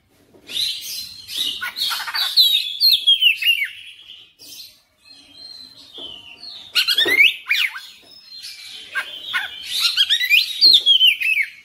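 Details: Oriental magpie-robin in full, persistent song, a varied stream of loud whistled phrases, sweeping slurs and harsh buzzy notes high in pitch, with brief pauses between bursts.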